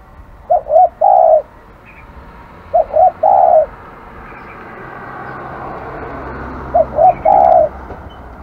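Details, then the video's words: Spotted dove, called aggressive, repeats its low coo phrase three times, roughly every three seconds, each a pair of quick short coos then one longer held note, over faint traffic-like rumble. "burung terkukur kg galak"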